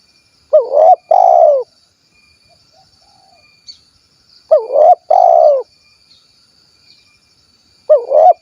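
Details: Spotted dove from Cilacap, Central Java, giving a clear 'kuk 1' style call: two-part phrases of mellow, rounded coos, the second note longer and falling, repeated about every three and a half seconds, in quiet surroundings.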